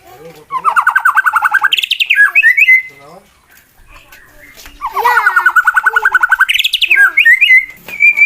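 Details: Contest male white-rumped shama singing a fighting song meant to provoke rival shamas: two loud bursts of rapid chattering trill on a steady mid pitch, each ending in a sharp upward sweep and high clipped whistles, with a pause between.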